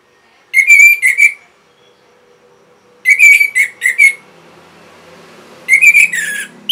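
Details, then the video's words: Orange-headed thrush, a caged bird's lively song used to stimulate other caged birds to sing: three bursts of sharp, clear whistled notes with high overtones, each a quick run of four or five notes, separated by pauses of about two seconds. "MASTERAN & PANCINGAN ANIS MERAH GACOR"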